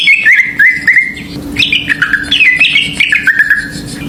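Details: Greater green leafbird song played as a lure to provoke other birds: quick strings of whistled notes stepping downward, a short gap, then more jumbled descending whistles, over a faint steady hum.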